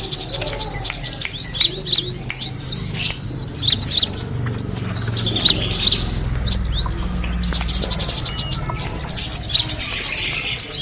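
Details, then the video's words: Kemade bird lure sound: a flock's constant high twittering, sharp chirps and downward-sweeping tweets crowding together, briefly thinning around the middle before resuming. "the sound of the kemade bird attracting noise"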